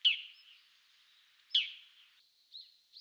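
Eurasian Teal giving short, high, clipped whistled notes, one at the start and another after about a second and a half, then two fainter ones.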